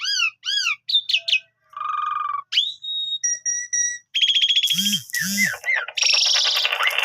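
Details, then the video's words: Asian pied starling singing a melodious 'gacor' chatter: repeated arched whistles, a flat low buzz, thin sustained whistled tones, then loud harsh rasping bursts mixed with deep croaking notes. "Suara Ocehan Merdu Jalak Suren Gacor"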